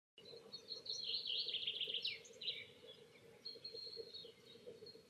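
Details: In spring, a common snipe sings a fast, high, rhythmic chatter of dry notes, followed by thinner repeated tones, over a steady low background hum.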